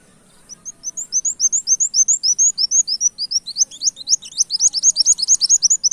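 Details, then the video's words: Brown-throated sunbird pouring out canary-like notes for a lure recording: a long, hurried chain of piercing upslurred chirps, speeding up and becoming denser toward the end. "Suara Kolibri wulung gacor tembak kenarian"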